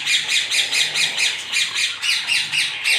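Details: An African grey parrot gives fast, harsh, high squawks, about five a second, in an unbroken rasping chatter with no clear words.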